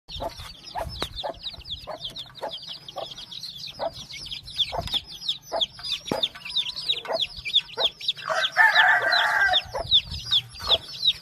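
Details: Many chicks peeping together in a continuous chorus of high, downward-slurred cheeps, with scattered low clucks and a brief louder rasping call near the end.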